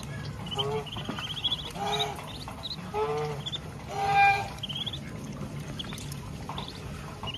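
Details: Farm duck with ducklings at feeding time, giving a run of four or five rough, harmonic quacks spaced about a second apart, while faint high-pitched duckling chirps trickle in the background.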